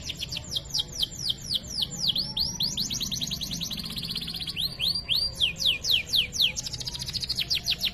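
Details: Canary singing cengkok mewah for masteran use: fast falling whistled notes, about four per second, rolling into continuous shimmering trills and swoops, high and bright throughout.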